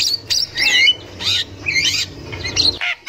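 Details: Wild Javan myna, a chattering female used as a lure for young birds, giving harsh squawks mixed with rising and falling whistled slurs in quick bursts, with short gaps between phrases.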